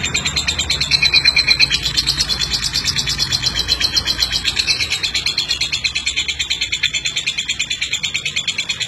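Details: Long ngeklek from a talkative champion lovebird: a steady stream of fast, high, metallic chattering pulses that continues without pause for the whole stretch.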